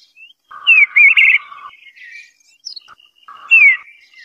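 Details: Gentle warble from an Eastern bluebird, a wavering phrase over a lower steady tone, scattered soft notes, then a final downslurred phrase.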